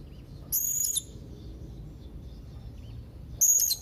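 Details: Young blue-crowned hanging parrot calling rivals, a call that draws replies from other hanging parrots: two brief, very high, thin shrill bursts about three seconds apart over a low background hum.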